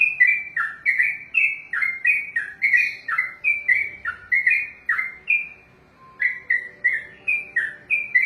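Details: Trucukan (yellow-vented bulbul) kept for song contests pours out a lengthy ropelan: bright gurgling whistled phrases in fast succession, a short pause, then the rolling notes resume.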